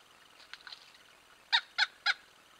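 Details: Male pileated woodpeckers at a creek in fall calling to each other: one gives three loud, nasal 'wuk' notes about a quarter-second apart after a few fainter answering notes from a more distant bird.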